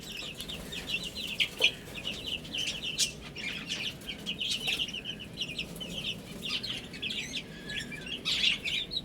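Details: Baby chickens chirping while eating and drinking: dense, high, quick peeps, many short falling notes overlapping from several chicks, with faint tapping and clicks in the background.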